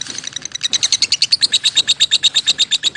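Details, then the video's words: A lovebird gives an even, quick series of bright, high chirps, building in loudness and repeating about seven times per second. "Lovebird Singing and Chirping Sounds"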